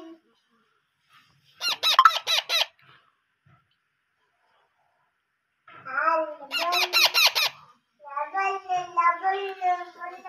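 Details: Parrot chicks taking hand-feeding beg in short bursts of rapid, harsh, repeated squeaks, separated by quiet gaps, ending with wavering, tonal calls or voices.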